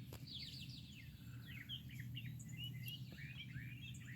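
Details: Birds singing early in the morning: several quick chirps and short twittering, downslurred phrases overlapping, with a steady low rumble of background noise throughout.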